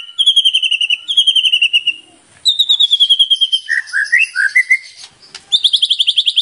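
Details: White-rumped shama singing a full, varied song, used as a lure to prompt other shamas: repeated bright, steady trills, a cluster of short rising whistled notes, then another rapid high trill.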